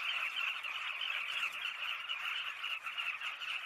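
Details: Southern carmine bee-eater chorus, dense and loud, made of many quick overlapping chirps blending into a steady buzzing chatter.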